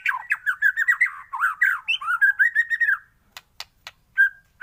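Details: White-rumped shama singing in the morning: a rich, fast warble of rising and falling whistled notes for about three seconds, then a few sharp clicks and a single short whistle.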